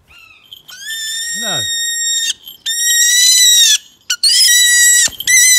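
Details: Male New Zealand falcon being called in, giving three long, harsh, level screams, each about a second long, with a brief low swooshing sound between the first two.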